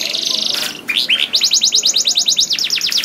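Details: Canary song used as a lure so other canaries start singing quickly: a buzzy high passage, then two rising whistled notes, followed by a fast, even trill of repeated bright chirps, over a faint background hiss.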